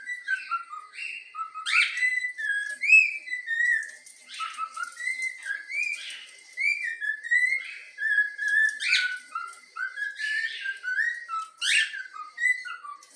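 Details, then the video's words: Trained young cockatiel of the yellow-cheek mutation whistles the Flamengo anthem in a long run of short, bouncy tonal notes, many dipping then rising, punctuated by scratchy chirps in a steady tune-like rhythm. "Bochecha amarela cantando o hino do flamengo"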